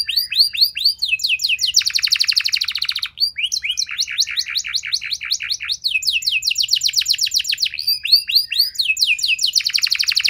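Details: Canary lure song, sustained and energetic: falling whistled notes alternate with very fast buzzy trills in three cycles, about four notes per second in the whistled parts, nothing else audible.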